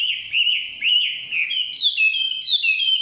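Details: Forest Chinese hwamei delivering loud, mellow whistled phrases, each curving up then down, steady and sustained, with higher notes toward the end.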